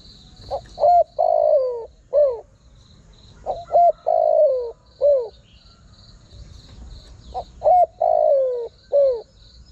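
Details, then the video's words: Spotted dove call played to lure wild birds: three repeated phrases, each two short hooting coos, a long downslurred croon, then a final short coo, roughly three seconds apart, over a steady high insect hum. "Chim cu gáy gọi hay kích bổi nhanh nổi"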